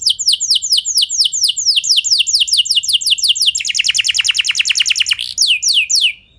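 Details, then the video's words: Canary singing to lure other canaries into song: high down-slurred notes, then a rapid buzzy trill, then a few more sweeping whistles. "Kenari Kondisi Apapun Pasti Nyaut! Ampuh Buat Memancing Kenari Lain, Langsung Gacor"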